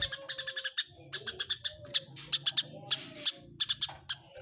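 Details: Eurasian tree sparrows fighting, giving sharp bright chirps in quick bursts of four to six notes with short pauses between bursts, clearly recorded and used as tutor audio for songbirds.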